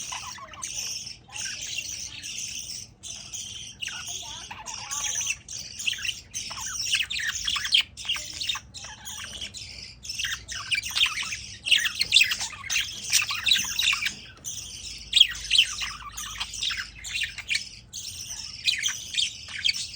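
Budgerigars chatter with a continuous stream of high, scratchy chirps and warbling squawks.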